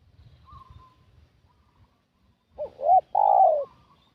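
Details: Decoy coo of a spotted dove, played to draw wild doves in: soft low rumbles first, then a single two-part coo near the end, a short hooked note and a longer falling one.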